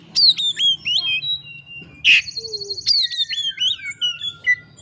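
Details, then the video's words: Oriental magpie-robin in combative display, seeking an opponent, played as a lure: clear falling whistles and chirps, a sudden harsh rasping burst midway followed by a buzzy trill, then more bright descending whistled phrases. "kacer ngeplay cari lawan. pancingan kacer agar bongkar isian.!!!"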